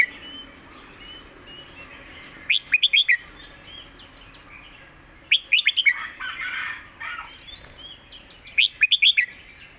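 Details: Red-whiskered bulbul master song (phleng mae bot): three bursts of rapid, bright, clipped notes a few seconds apart, each four or five notes long, separated by quieter scratchy warbling and background hiss.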